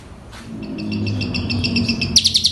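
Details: Training song of an Asian pied starling, packed with borrowed phrases and meant to coax a starling that is slow to sing. Rapid high chirping notes repeat in a quick series, then give way to a burst of stronger, clipped notes above a low background hum.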